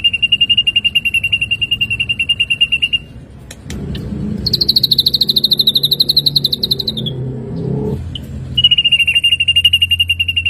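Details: Ashy drongo training recording for songbirds: steady rapid trill, a pause with low background rumble, a higher pulsed trill that falls slightly at its end, then the steady trill resumes.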